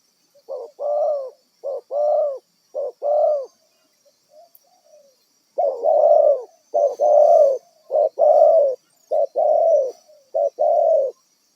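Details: Wild spotted dove kept as a decoy for trapping, delivering repeated low coo pairs, a quick note leading into a longer rounded one, broken by a short quiet gap before resuming.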